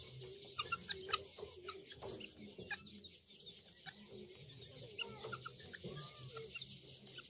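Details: Young helmeted guineafowl keets, hatched by a chicken and let out onto grass to feed for the first time, with one chick among them; many short high chirps and peeps scattered irregularly, overlapping from several birds, over a steady background hiss.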